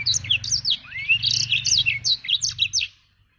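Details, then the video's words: Blacktrut jabrig black-throated canary in active song, delivering a dense run of rapid, high twittering and sweeping notes, including one rising slur, over a steady low hum for about three seconds. "Burung blacktrut jabrig"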